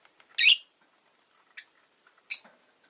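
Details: Rosy-faced lovebird chirping: two loud, harsh, broadband chirps about two seconds apart, with a fainter short chirp between them, over an otherwise quiet background.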